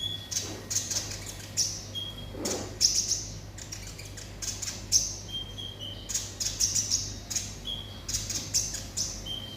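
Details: Olive-backed sunbird in 'konslet' song delivers rapid clusters of high, sharp chirping notes. Short, level whistles are mixed in, with brief pauses between bursts, over a low steady hum.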